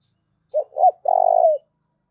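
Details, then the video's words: Cooing spotted dove, its voice meant to make newly trapped wild doves bold and eager to call: a pair of short low hoots, then one drawn-out purring note that fades slightly at the end. "cu gáy// tieng cu gay thuc boi ve coi"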